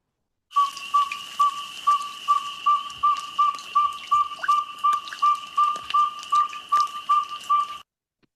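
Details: A Northern Saw-whet Owl, a small owl about six or seven inches tall, gives a long, even run of about eighteen clear whistled toots, roughly three per second, all on one pitch, over a faint steady high hum.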